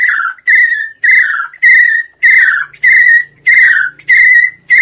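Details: Call of a Chinese francolin, played as a hunting lure: a series of strident, rasping notes with downward slurs, given nearly twice per second and evenly spaced, over a faint low hum.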